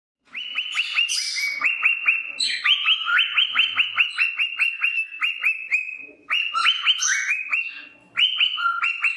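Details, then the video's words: Male pet cockatiel, described as happy and content, singing his favourite "Wiko Wiko" song: a rapid run of bright whistled notes, each an upward sweep that snaps back down, several per second, with brief breaks near six and eight seconds. "the Cockatiel Sings His Heart Out in Beautiful Wiko Wiko Song"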